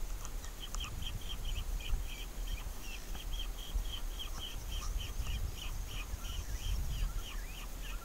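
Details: Red-rumped caciques (Cacicus haemorrhous) at their nest amid a commotion give a rapid run of short, bright, chattering notes, several per second and fairly high-pitched, over a steady low rumble of wind or handling noise.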